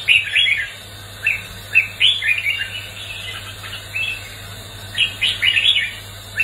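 Red-whiskered bulbul singing bright, bubbly whistled phrases in quick bursts, about four notes a second, with pauses between groups; a low steady hum underneath.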